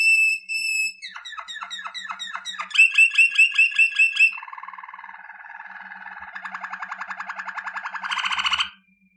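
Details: Malinois Waterslager canary delivering a powerful song: a high held whistle, descending rattled chirps, a burst of bright repeated notes, then a long low bubbling roll swelling into a loud higher trill.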